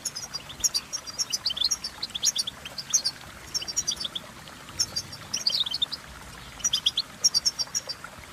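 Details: Goldfinch song of quick, tinkling high notes in repeated clusters about every second or two, lively and chattering, over a soft low rumble.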